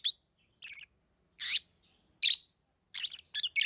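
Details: Pet lovebirds chirping: short, bright, harsh chirps in separate bursts at irregular intervals, some doubled or stacked, with no other clear sounds.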